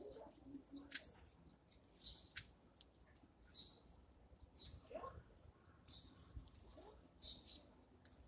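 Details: Eurasian tree sparrows feeding in the morning, with scattered sharp chirps and brief twitters at irregular intervals over soft background noise.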